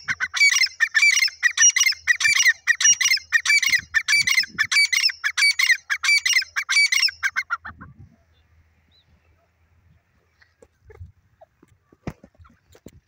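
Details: Black francolin, described as a desi Irani teetar, possibly female, calling: a loud, rapid series of harsh, rasping notes repeated about every half second for seven seconds, then near silence with faint scattered clicks.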